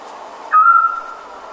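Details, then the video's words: One level, flute-like whistle from a scops owl lasting under half a second, beginning sharply and fading smoothly, with light background hiss around it. "Scops Owl"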